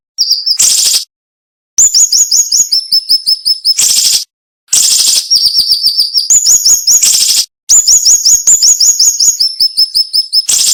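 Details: Cinnamon-bellied flowerpecker song in a tutor recording for cage birds, described as sharp and dense with short gaps. Fast runs of high, thin notes alternate with loud buzzy bursts, separated by sudden silent breaks.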